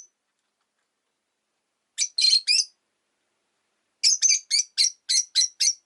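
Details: Rosy-faced lovebird kept as a pet chirping: a quick burst of three shrill notes, a pause, then a rapid run of about eight harsh high chirps at a steady pace.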